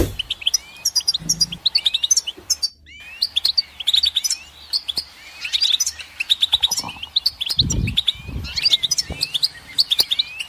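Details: Goldfinch singing continuously: a tumbling stream of high, tinkling twitters, slurred whistles and short buzzy trills, with only brief pauses and some faint low thumps in the background.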